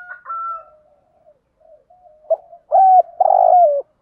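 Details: Spotted dove giving 'thúc gù' urging coos and 'gáy gọi' calling coos to stimulate other doves. Soft murmured notes at first, then two loud, low drawn-out coos near the end.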